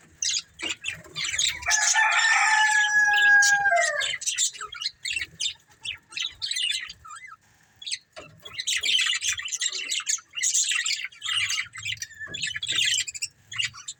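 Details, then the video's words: Breeding pair of budgerigars: a drawn-out warbled, whistled phrase with falling tones early, followed by rapid clicky chirps and stretches of high, buzzy chattering. "Beautiful Budgies Chirping Sounds"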